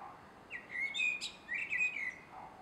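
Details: Garden blackbird, a male, at dusk on 3 July 2016, gives two fluted whistled phrases, each sliding and wavering, the first capped by a brief high scratchy note, over a faint steady hiss.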